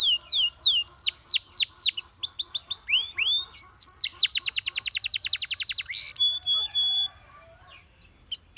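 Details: Canary pouring out song to encourage other birds to sing: a string of quick downslurred whistles speeding into a long even rattling trill, followed by thin sustained notes, pauses and a few final slurs.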